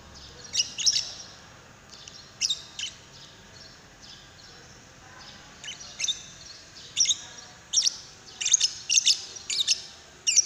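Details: Lovebird call used to prompt another lovebird to sing: bursts of sharp, high chirps and squeaky notes, scattered at first, then clustering into rapid repeated calls in the last few seconds over a faint background hiss.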